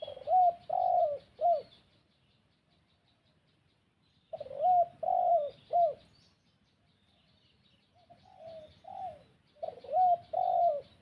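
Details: Spotted dove used as a lure to call wild birds: three bursts of low cooing, each of three or four rounded hooting notes, separated by silent gaps of a few seconds, with faint higher chirps beneath.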